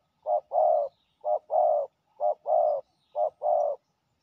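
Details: Resident male spotted dove, fierce in its territory, coming fast to a ground decoy: four evenly spaced pairs of low coos, short then long, in a clean quiet setting.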